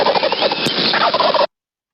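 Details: A male Wild Turkey (Meleagris gallopavo) in North Carolina gobbles to locate hens in the spring breeding season: a fast, gurgling rattle of throaty notes lasting about a second and a half, then silence.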